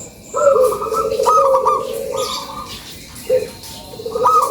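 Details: Local zebra dove, lure call: a lively sequence of rolling, trilled coos in a long phrase, a pause, then a short coo and a new phrase starting.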